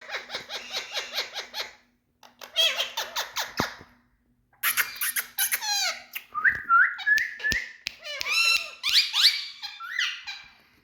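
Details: Adult male Indian ringneck parakeets, a group of talking parrots, give a run of evenly repeated harsh chirps, a short pause, then varied squawks and bending, speech-like warbled sounds with quick rising and falling notes.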